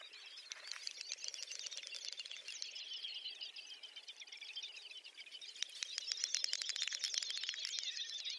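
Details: Great Snipe displaying at their lek, Ryazan oblast, Russia, April 2019: quieter clicking and twittering at first, then a louder bout of rapid rattling clicks with looping, warbled high notes in the second half.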